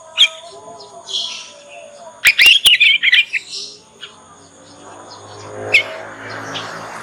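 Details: Young canary of Yorkshire type still learning its song, used as a lure to make other canaries answer and learn faster; brief bursts of high chirping twitter mid-clip, with faint background hum and a few scattered chirps.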